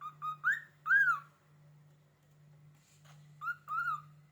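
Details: Indoor cockatiel whistling in reaction to a finger scraping a cupboard door: a few short rising whistles then a longer arched one, a pause, then two more slurred whistles, over a steady low hum.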